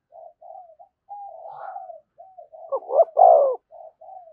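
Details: Spotted dove giving the thúc gù style of cooing near a decoy bird. Soft, broken low hoots lead into one louder grouped coo of quick short notes and a longer drawn note, then fainter hoots trail off.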